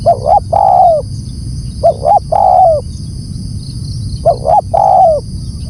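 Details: Spotted dove calling loudly, giving three phrases about two seconds apart, each two short rising coos then a long sliding note that drops at the end; low rumble and constant high hiss behind.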